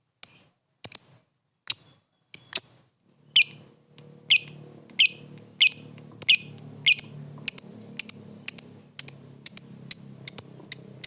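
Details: Lovebirds calling a rival: sharp high chirps repeated at first about once a second, then quickening to a steady string of shrill notes, with a faint low hum underneath.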